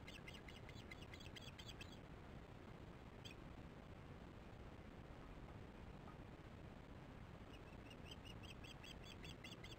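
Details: Alarm calls of an osprey at the nest during chick feeding, evening of 22 July 2015, nest camera: a rapid burst of short chirps for two seconds, a single note, silence, then another run of chirps near the end, all over constant low noise.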